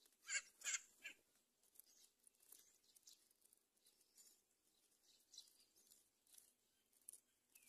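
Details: Mother myna bringing locusts to her chicks in a nest on a palm tree gives two loud, harsh, rasping calls, then fainter scratchy, chattering notes repeat irregularly through the rest.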